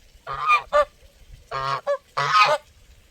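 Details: Resonant goose honks in pairs, a long rough call each time followed by a short clipped one, repeated about every second and a half.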